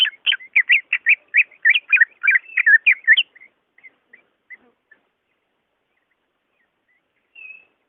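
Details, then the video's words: Caged-bird prompting song of a greater green leafbird: a fast burst of rich, varied whistled notes for about three seconds, then scattered soft chips and a faint whistle. "SUARA ASLI BURUNG CUCAK IJO II cocok buat pancingan ijo malas bunyi"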